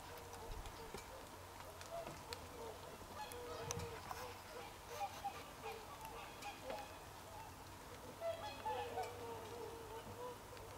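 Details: Wintering swans, 24 December 2020, heard as a distant flock keeping up mellow, horn-like honks at irregular intervals, rising in number toward the end, over a low rumble and hiss.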